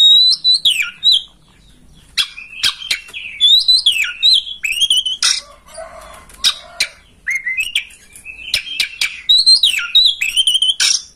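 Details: Master song of an oriental magpie-robin for rousing another to spread its tail and sing; bright whistled phrases falling and rising, mixed with abrupt harsh notes, nearly continuous with short pauses.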